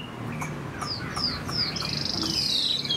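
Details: Chinese hwamei kept as a pet, moulting, large and well-shaped, singing high: a few short buzzy notes, then quick descending whistled slurs and a sustained high warbling phrase at the end, with low background hum.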